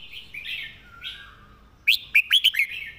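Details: A soft, slurred warble opens, then a Red-whiskered bulbul's master song breaks in with one sharp burst of five loud, clean, chirpy whistles delivered with clear phrasing.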